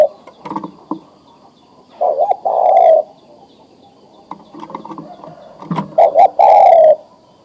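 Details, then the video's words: Breeding male spotted dove calls a female: two phrases of short double coos and a drawn-out coo, separated by scattered rustling and tapping sounds. "Suara Tekukur Jantan Memanggil Betina Siap Di Kawinkan"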